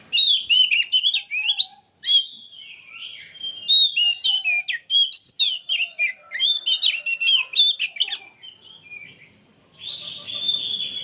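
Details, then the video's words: Old oriental magpie-robin in continuous song: a rapid, rich stream of varied whistles, chirps and warbled phrases, barely pausing over eleven seconds, ending in a steady held whistled note. "Kacer tua jiwa muda nyerecet bunyi tanpa henti"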